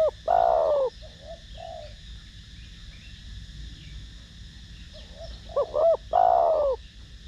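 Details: Spotted dove singing in the 'thổ đồng' voice style, used to excite decoy doves: a long, mellow, downward-sliding coo, quiet muffled coos, then short arched hoots running into another sustained falling coo.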